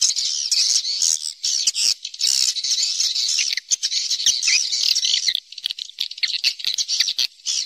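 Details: Swiftlet roosting lure call to draw the birds in to roost: a thick chorus of high, scratchy twittering with fast clicking patter, steady for most of the stretch and briefly thinning near the end.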